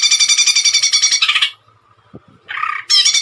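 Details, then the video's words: Greater green leafbird song used as training material: a rapid, rattling chatter of evenly repeated notes, a short silence with faint clicks, then a buzzy mid-pitched burst and a high, sharp trill. "CUCAK IJO GACOR TEMBAKAN MANTAP"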